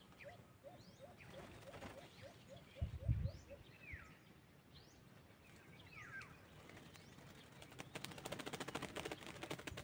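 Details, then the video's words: White-eared brown dove (alimokon) calling where wild doves are hunted with a bird cage: an even series of low hoots for about three seconds, a brief thump, scattered high bird chirps, then dense insect buzzing toward the end. "White Eared Brown Dove"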